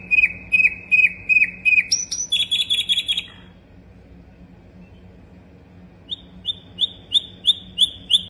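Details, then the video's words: Sikatan londo flycatcher in full varied song: a row of clear repeated whistles, a high buzzy burst, a pause, then another evenly spaced series of sharp notes, with a low hum behind. "Sikatan Londo Gacor Lagunya Variasi"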